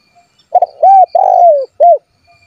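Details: Spotted dove calling to rivals so they will sing: a short double stutter, a smooth level coo, a long throaty coo dropping in pitch, then a crisp final coo, with near silence around it.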